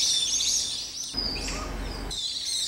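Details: Newly hatched common pheasant chicks on their first outing, led by their mother and fallen into a drainage ditch in a magpie's territory, give thin, high, overlapping peeps and cheeps, with a burst of broad rustling noise midway.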